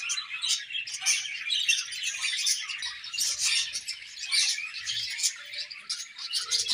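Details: Many budgerigars in a colony chirp as they eat, producing a steady high warbling chatter with rapid scratchy notes layered over one another and frequent brief louder peaks.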